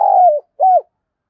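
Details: Spotted dove kept as a decoy for luring wild doves, heard giving a long coo that falls in pitch, a short gap, then a shorter arched coo.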